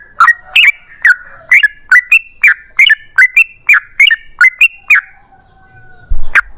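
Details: Energetic song of a yellow-vented bulbul, used to lure other bulbuls to sing: about five seconds of quick liquid whistled notes, each with a short downward-upward flourish, ending in a pause and one last sharp note.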